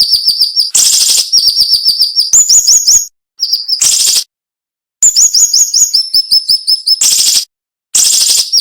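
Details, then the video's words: Dense, sharp song of the siri-siri (cinnamon-bellied flowerpecker) with short pauses: fast high-pitched chirp trains alternating flat and rising notes, punctuated by loud harsh bursts and silent gaps of under a second. "MASTERAN SUARA BURUNG SIRI SIRI NEMBAK TAJAM"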